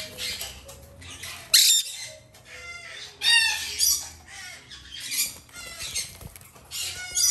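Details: Pair of young female Black-headed caiques, domestically bred in Japan and still hand-fed, utter rasping, uneven squawks and grating chatter, with one loud sharp outburst near the start and irregular calls following.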